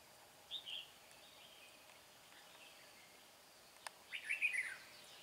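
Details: Red-whiskered bulbul at a trapping site for a wild bird said to have a bell-like voice; a short whistled note early, then a louder tumbling warbled phrase near the end, with steady background hiss.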